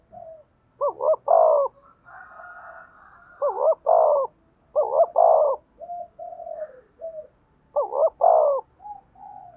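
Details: Spotted dove repeatedly cooing to stimulate and train decoy birds: four loud phrases of a wavering double coo plus held note, linked by softer mellow hoots.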